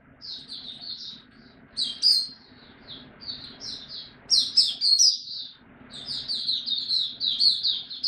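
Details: Singapore white-eye (mata puteh) in a cage, back in song on 31 July 2023: fast strings of high, tinkling twitters rising to louder, busier bursts, with short gaps between phrases.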